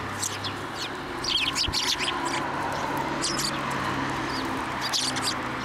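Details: Sparrows that come to a pavement curb at a Tenmangu shrine for food, 11 January 2024: short, high chirps in loose scattered bursts over a steady low hum of traffic.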